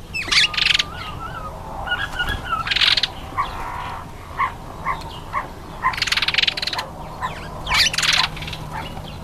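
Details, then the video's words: African green pigeon giving a mix of gravelly, rattling bursts and brief whistled notes, delivered in uneven clusters a few seconds apart, with a faint steady hum underneath. "African Green Pigeon"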